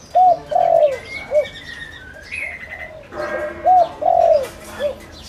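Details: Spotted dove decoy, used to draw in wild doves, sings two quick three-note phrases: short rising coo, long trembling coo, small final coo. Other birds whistle and chirp softly above.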